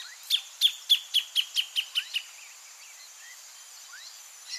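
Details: Wild greater thornbird near its nest: a series of about nine loud clipped notes, evenly spaced and slightly speeding up, then quieter scattered chips over steady insect-like hiss.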